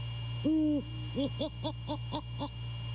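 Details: Male great horned owl calling during a late-night visit, 1/6/22, Skidaway nest cam near Savannah: one long, deep hoot followed by a string of about six short, evenly spaced low hoots, hum in the background.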